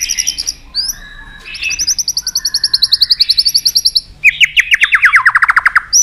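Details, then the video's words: Excited caged white-rumped shama singing: clear whistles, then a long run of rapid repeated notes, ending in a fast descending series of sharp clicks and trills. "chòe lửa đập tạch cực sung. kích thích chòe lửa lên lửa. chòe lửa đánh đuôi sàn cầu.kích chòe lửa"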